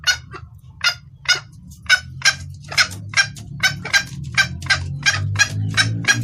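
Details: Junglefowl hen calling the male, clear-voiced lure: sparse clucks at first, then faster harsh notes, about sixteen in all, with a low rumble rising toward the end.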